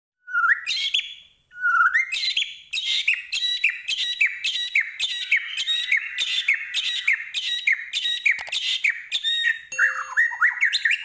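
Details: A white-rumped shama from Medan sings a loud, rapid stream of varied whistles, trills and sharp chattering notes, with hardly a pause after an opening rising whistle.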